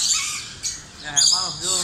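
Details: A captive myna at a mini zoo in Hatirpool, Dhaka, Bangladesh squawks harsh, word-like imitations of human speech such as "Allah", "Halo" and "Papa".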